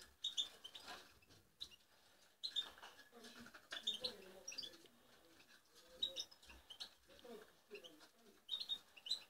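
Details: Young European goldfinch, five months old, in song training in the London alhasoune style; short high thin chirps and twitters recur in brief bursts about every one and a half seconds, mixed with soft broadband rustles and low murmuring.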